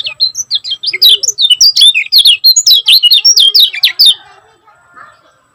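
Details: Energetic kecial kuning, the Lemon-bellied white-eye from Lombok, delivers quick, closely packed high twittering notes for about four seconds, then goes quiet. Faint low murmurs sit underneath.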